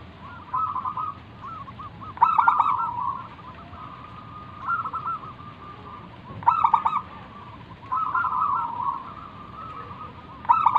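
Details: Zebra dove of a local wild strain in full song, a lure meant to prompt other doves to call back. Quick trilled cooing runs alternate with louder stuttering bursts, repeated several times.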